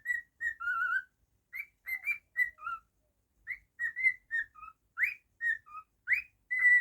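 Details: A pet cockatiel runs through a lively whistled melody of many short notes, alternating higher upswept chirps with lower steady tones, about two notes per second after a brief pause.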